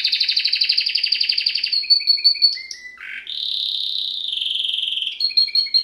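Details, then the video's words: Canary (Serinus canaria) used for training birds to sing: fast rattling trill, then a series of short falling whistles, a dipping buzzy note and a sustained steady high tone before renewed trilling. "Bird song | Canary singing| training bird | best canary | Serinus canaria"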